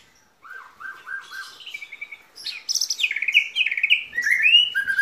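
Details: White-rumped shama singing a long cililin-style song with lovebird and canary imitations: clear repeated whistled notes climbing in pitch, building into louder, varied rapid phrases.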